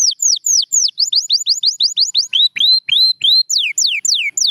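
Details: Canary singing a rolling series of sharply falling whistles. The phrase shifts to lower notes that hook upward, then climbs back to high, sliding notes repeated roughly three times a second.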